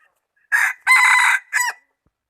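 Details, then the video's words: Highland rooster crowing, recorded 11 November 2019: a loud three-part crow with a short opening note, a long sustained harsh middle section and a brief falling end, all within about 1.3 seconds in a quiet background. "Qaib dib toj siab zoo nkauj qua zoo heev gà gáy hay"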